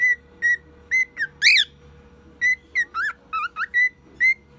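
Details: Male cockatiel aged one year imitating a car alarm and other sounds: rapid clear whistles, some flat, some swooping up and down in alarm-like wails, about a dozen notes, with a constant low background hum.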